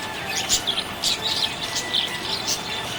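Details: Budgerigar described as happy gives bursts of high, bright chirps about every half second, short warbled notes over a faint steady tonal background.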